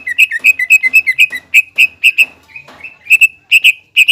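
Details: Leafbird lure song from a greater green leafbird meant to stir a rival's emotion: quick chattering whistles with dipping notes, then spaced doubled bright whistles after a short lull.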